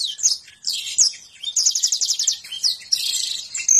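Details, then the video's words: Canary singing konslet and ngentrok style song: sweeping high chirps and short warbled bursts, then a quick run of evenly repeated trilled notes, closing with dense twittering and a sustained high whistle at the very end. "BURUNG KENARI SEPERTI INI...?? KONSLET + NGENTROK.."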